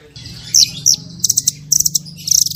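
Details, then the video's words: Small bird giving sharp, high, twittering notes in short clusters of three or four, over a low droning background. "MASTERAN BURUNG KECIL FULL TEMBAKAN VARIASI MEWAH"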